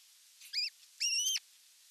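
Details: Osprey at the nest, evening feeding on 30 June 2022: two clear whistled notes, a short rising-falling chirp, then a longer level squeal that drops at the end.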